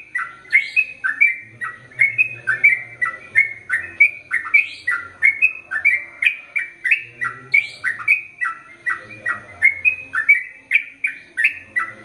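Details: Long ropel panjang song from a gacor Sooty-headed bulbul, with a steady stream of lilting, slurred chirps rising and falling about two to three per second, occasionally punctuated by brighter, harsher notes.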